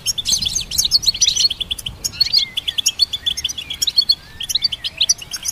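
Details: Goldfinch hybrid delivering song used to train songbirds. Rapid, bubbly twittering and short trills come in dense runs, with a few downward slurred notes between bursts.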